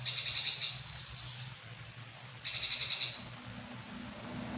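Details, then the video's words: Grey-cheeked bulbul singing actively, giving two short bursts of rapid, high, rattling pulsed notes, each under a second, about two and a half seconds apart, over a low steady hum. "Burung Berinji Kelabu Gacor"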